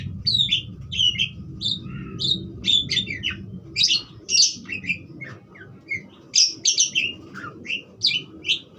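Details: Budgerigar singing lively bursts of high chirps and short warbles, a few notes each second, over a steady low hum.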